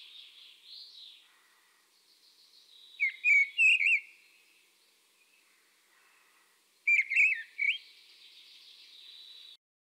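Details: Great Spotted Woodpecker: two short bursts of sharp, high 'kik' notes, three or four quick calls each, over a faint, steady high hiss of other small birds or insects.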